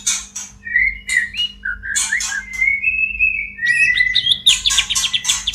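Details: Caged white-rumped shama in breeding condition, mating: clear whistled notes sliding and held, mixed with bursts of high scratchy chatter, becoming denser and faster toward the end; a steady low electrical hum underneath.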